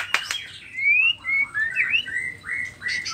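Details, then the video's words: Nias spotted white-rumped shama singing lively varied phrases: short clear whistled slurs, some rising, some falling, in quick bursts between brief pauses, with two sharp clicks at the start. "Murai batu nias noktah gacor isian dengarkan suara ini 30 detik murai batu lain akan nyaut seketika"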